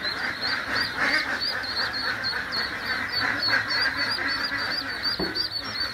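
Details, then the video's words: Big flock of about 1500 Khaki Campbell ducklings in Nepal peeps nonstop: high, thin cheeps overlapping in a dense chorus, several every second, over a steady rustling background. "1500 ducking - khaki Campbell Duck"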